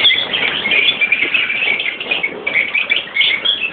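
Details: Mixed captive colony of Fischer's and Rosy-faced lovebirds, adults with their young. Constant high-pitched chirping and sharp squeals from numerous birds, overlapping in a busy, unbroken din with brief louder bursts.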